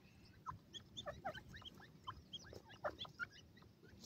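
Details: Grey francolin chicks at play; scattered sharp, high peeping notes and quick squeaks from several chicks, irregular and overlapping, with faint background noise.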